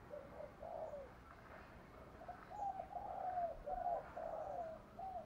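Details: Spotted dove song, the coos used for daily voice training of doves: a series of soft, low hooting notes, some slurred and bowed, repeated about twice a second against a steady background hiss.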